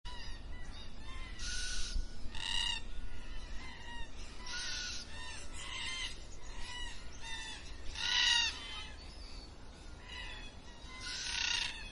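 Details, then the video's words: Black cockatoos calling at dusk: several drawn-out, harmonic, wailing screeches in separate bursts, some overlapping, with softer calls between them over low rumbling background noise. "Black Cockatoos at Dusk"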